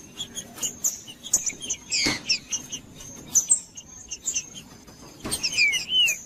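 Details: Green-winged saltator song played to warm up a cold captive bird and stimulate it to sing, for breeders who enter singing tournaments: clear whistled and slurred phrases in short bursts, with a constant thin high tone and sharp clicks throughout.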